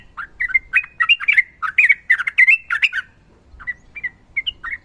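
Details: Sooty-headed bulbul used as a training song, a fighter-style bird with a female calling the male: rapid bubbly warbled phrases for about three seconds, then scattered short whistled notes after a pause.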